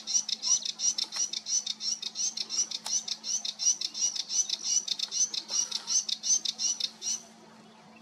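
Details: Recorded 28 June 2022, a sedge warbler churns out a fast, even series of dry, high, repeated notes for about seven seconds, then stops, leaving only a faint hum.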